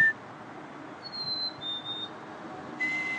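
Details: A wild black-capped chickadee (Poecile atricapillus) copies a person's whistle, giving a clear two-note song, a high note sliding down into a slightly lower one, between the person's lower whistled notes.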